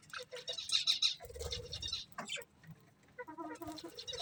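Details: Quiet colourful budgies: a quick run of bright squeaky chirps, then nasal, harmonic chattering notes and softer warbles over low background rumble.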